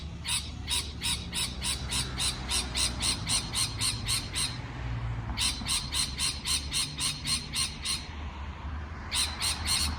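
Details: Parrot chattering in rapid bursts of harsh squawks, nearly four per second: a long run of about seventeen, a short gap, a run of ten, then three more, with low rumbling noise underneath.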